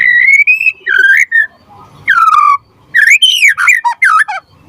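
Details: Lure and tutor song of a gacor white-rumped shama: clear, fluting whistles sliding up and down, delivered in loud phrases with short silent breaks and a falling final note.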